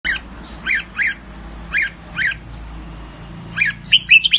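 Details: Caged red-whiskered bulbul from Thailand singing in the counted-phrase style, with short bright warbled phrases repeated about every half second to a second, then a quicker run of rising whistled notes at the end over a low background hum.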